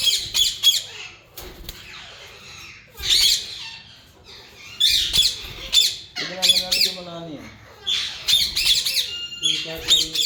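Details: Yellow ringneck parakeets, a breeding pair, giving harsh, loud squawks in clustered bursts of two to four notes separated by short pauses. Some lower, wavering harmonic calls appear midway. Indoor-sounding setting.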